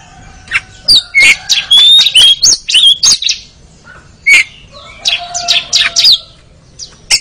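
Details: Kacer, the Oriental magpie-robin, in a therapy track against sluggishness that aims for ngeriwik song: fast, scratchy chatter mixed with high whistles in two bursts, separated by sparse single chips.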